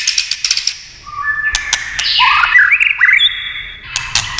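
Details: White-rumped shama song triggered by tail-tapping: rapid clicks open, followed by varied whistled notes that rise, jump and tumble in pitch.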